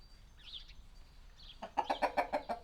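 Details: Hens in a small village coop, captured with a Sony PCM D100 and Sennheiser ME66: faint high chirps at first, then a quick series of about seven evenly spaced throaty clucks.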